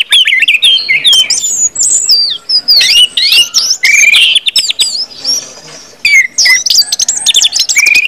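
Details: Orange-headed thrush singing in the loud 'ngeplong' style: a dense, rapid stream of high whistled slurs, trills and sharp clicks, with rising and falling sweeps and brief pauses.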